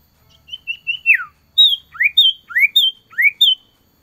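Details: Male cipoh (Common Iora) calling to a female, recorded in winter: short level whistles leading to a downward slur, then repeated pairs of high clipped notes with rising chirps, lively and quick.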